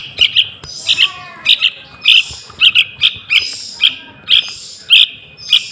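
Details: Juvenile yellow-vented bulbul lure calls: paired and single piercing chirps at irregular spacing, accompanied by softer hissy notes and a faint lower whistle.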